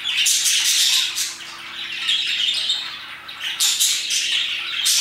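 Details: Around 2pm, parakeets chirp heartily: a harsh, buzzy chorus of squawks and thin whistled notes, loud at the start, softening mid-way, then rising again.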